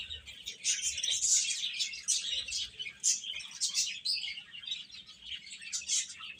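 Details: A group of chicken chicks chirping, shrill overlapping peeps swelling and fading in uneven waves, busiest in the first half.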